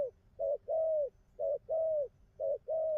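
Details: Spotted dove, moderately pearl-collared, cooing well: three pairs of soft, hollow coos, each a short note followed by a longer, slightly falling one, evenly spaced over three seconds.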